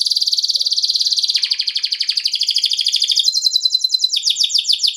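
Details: Atlantic canary in rolling song (ngerol), used as a lure to provoke other canaries into answering: fast, continuous high trills that step down in pitch, then sweeping, rapidly repeated notes and a sustained high whistle, with no other sounds.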